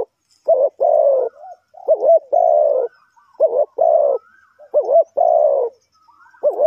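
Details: Spotted dove used to lure wild birds for trapping in Ninh Thuận. Mellow coo phrases repeat steadily, each a quick rising lead note followed by a longer, deeper hollow coo, with soft thin whistles between phrases.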